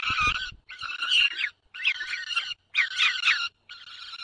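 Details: Nest of white storks in Poland's Dolina Baryczy, June 2020 morning, one bird calling the adopted young: five rasping, buzzy harmonic bursts of about half a second to a second, separated by brief pauses.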